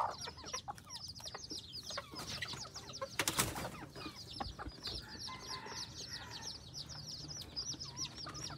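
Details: F2 hybrid junglefowl decoy birds, crossed with bantams, in Phon Thong, Roi Et, Thailand; many overlapping high, slurred peeps, a sharp loud clatter near the middle, and a softer low buzzing tone afterwards.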